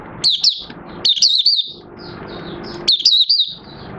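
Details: Caged oriental white-eye singing after its cloth cover is removed, following three months of training, 25 August 2022: lively high warbled phrases of wavering whistles, repeated about every two seconds, with a muffled rumble in between.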